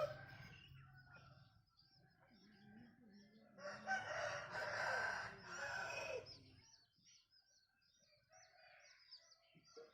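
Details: Laughter-like crow of a bantam rooster: a three-second burst of ragged, stuttering harmonic notes. Low rumbling noise before and during it, and a series of quick high chirps afterward.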